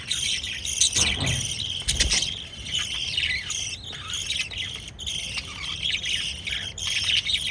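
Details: Pet lovebirds chatter steadily with high, buzzy chirps while feeding chicks; two dull knocks early on interrupt the shrill, overlapping calls.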